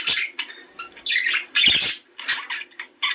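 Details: Budgerigar breeding-stimulation sound: rapid chatter of harsh, scratchy notes mixed with sharp clicks and short whistles, delivered in bursts about half a second long with brief gaps.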